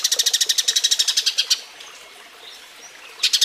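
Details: A Eurasian tree sparrow's mating call, recorded clearly as training audio for other birds: a fast chatter of sharp, high chirps for about one and a half seconds, a quiet pause, then the chirping briefly resumes.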